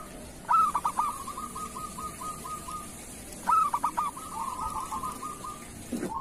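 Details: Local zebra dove singing kerot style as a tutor song: two phrases three seconds apart. Each opens with a loud stuttered coo and trails into a softer rolling purr, with a steady high background hiss.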